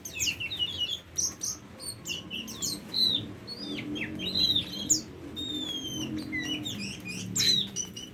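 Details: Tame Oriental magpie-robin singing bright downslurred whistles and chirps, then a long, clear, gently rising whistle in the second half, followed by further quick varied notes.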